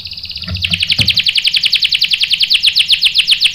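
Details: Bait song of a canary meant to draw a male into rolling song: a buzzy tone gives way to a steady rapid series of bright repeated chirps, about three per second, with a couple of soft knocks.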